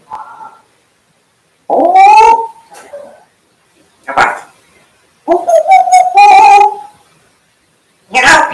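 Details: African grey parrot producing a series of speech-like utterances: short voiced phrases with bright, slightly wavering tones held around mid pitch, broken by clicky bursts, about five vocal bouts in under nine seconds, with quiet gaps between.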